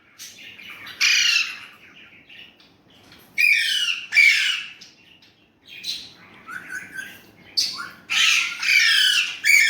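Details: Talking pet Indian ringneck parrot, speaking Urdu/Hindi: irregular harsh, buzzy phrases, some longer and louder, separated by uneven pauses in a quiet room.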